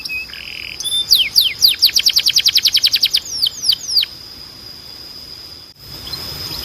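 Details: Canary training song: a short held tone, then a quick series of about fifteen sharp descending whistled notes, slowing into a few longer sweeps before the song stops and only faint hiss remains.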